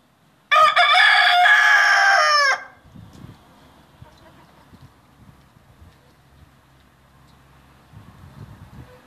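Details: Rooster giving one loud, harsh, drawn-out crow lasting about two seconds, followed by quiet background murmurs and soft knocking sounds.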